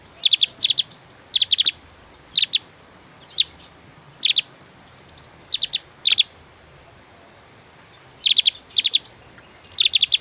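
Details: Javan white-eye in lively song, used as a master recording for songbirds: clusters of sharp, high, rapid ticking notes spaced by short silences over ten seconds.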